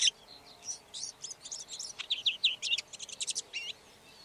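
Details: Red-backed shrike singing a busy, chattering stream of short high notes, scratchy bursts and thin twisted whistles, running almost unbroken for four seconds.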